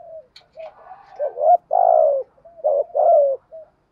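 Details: Spotted dove giving 'thúc gù' cooing in the 'giọng thổ' voice style, used to stimulate and train decoy birds. Soft low coos build into two long, loud, slightly falling hoarse notes, then a short final coo. No other sounds.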